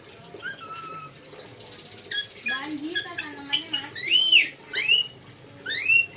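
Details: Red lory giving loud, harsh, arched screeches, three in the last two seconds, after softer chatter and faint human voices.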